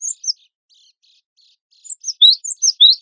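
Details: Cinereous tit (gelatik batu wingko), from a tutor recording compiled for songbird contests: two short high chirps, a long quiet gap with faint twitters, then a fresh burst of alternating high and rising notes.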